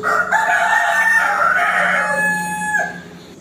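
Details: Cockerel crowing to challenge a rival, one continuous loud crow held for nearly three seconds on a steady tone before dropping sharply at the end.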